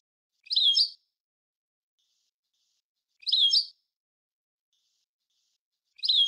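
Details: Teaching recording of a European goldfinch: three identical short twittering notes repeated about every two and a half seconds in silence.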